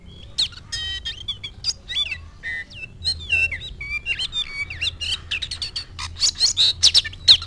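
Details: Oriental magpie-robin in full song on meeting a rival, a dense run of varied whistles, sharp chirps and rapid frequency sweeps, loud and near-continuous with brief gaps, over a low steady hum.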